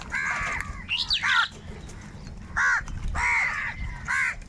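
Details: Crows fighting for food utter loud harsh caws in separate bursts about a second apart, with one higher, squeakier call early on.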